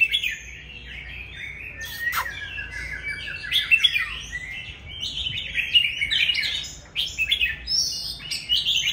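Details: Loud song of a mature wild-caught Oriental magpie-robin: a long, varied sequence of whistled and chattering phrases, falling slurs and trills, delivered in rapid bursts with brief pauses between.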